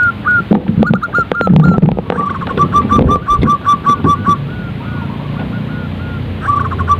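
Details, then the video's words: Zebra dove giving a fast string of short, staccato coos that trail off, then resume briefly near the end, with steady low-pitched rumble and occasional knocks in the background. "Panggilan suara perkutut agar cepat bunyi & gacor | zebra dove calls bird"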